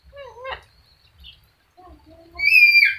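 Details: Sulphur-crested cockatoo, described as a clever talker, makes a few wavering, voice-like syllables and soft notes, then a loud, harsh, drawn-out screech at the end.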